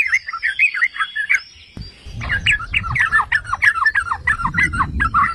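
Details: Trucukan, the yellow-vented bulbul, in a provoking song: a brisk warbled phrase, a pause, then a steady stream of liquid chattering notes with low rumbling noise underneath.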